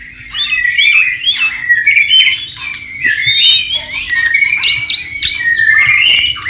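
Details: Song of a wild white-rumped shama by a stream: loud, continuous, richly varied whistles and slurs with interspersed harsh notes, hardly pausing.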